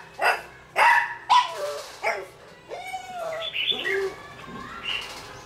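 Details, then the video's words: A wild-caught red-whiskered bulbul kept in a cage for 12 days sings at a decoy bird: loud, abrupt chirping notes at the start, followed by quieter, rising and falling slurred whistles. "Mộc 12 ngày lồng thái độ rất tốt với mồi"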